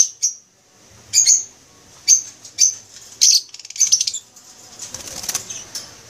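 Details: ['Masked lovebirds of the green wild form, kept in an aviary, give shrill, high chirps in short bursts about once a second, some as rapid stuttering runs, with soft fluttering and room noise between.']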